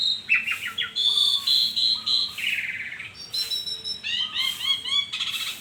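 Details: Asian pied starling in morning song, mixing clear whistles, a buzzy chatter and lower piping notes in a fast, irregular stream.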